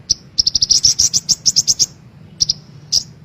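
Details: Female brown-throated sunbird used as a lure so caged birds start singing: a fast run of a dozen sharp, high chirps, then a pause and three more isolated chips.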